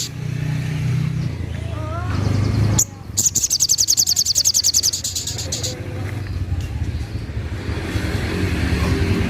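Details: Little spiderhunter's 'tembakan' call, a dense rattling run of high, clipped notes for nearly three seconds, preceded by faint rising whistles from another bird and steady low background noise.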